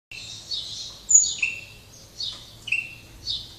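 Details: Captive double-collared seedeater from a breeder in Jaboticabal, São Paulo, Brazil, late afternoon after singing all day; short high slurred notes and sharp downward chirps spaced about a second apart, with light background hum.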